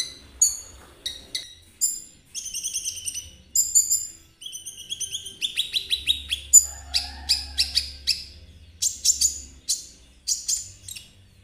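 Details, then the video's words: Konin singing trotol style, used to set other birds singing and to lure ninja sunbirds: stuttering high notes build into rapid trilled phrases, with tone-rich bursts repeated in quick succession. "Terapi KONIN agar ikut gacor !! Cocok buat pancingan kolibri ninja. suara konin Trotol."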